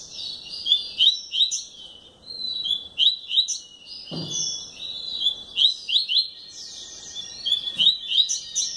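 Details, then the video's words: Song of a captive double-collared seedeater: rapid twittering and whistled slurs tumbling over one another, some buzzy trills, with brief low knocks and a faint steady tone in the background. "COLEIRO ESTRELA A MÁQUINA DO YOUTUBE"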